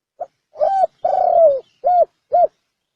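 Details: Spotted dove, 'bronze bell' voice, cooing to call wild doves and stimulate males and females; a quiet pip, then a level coo, a long coo gliding lower, and two quick round coos, loud against silence.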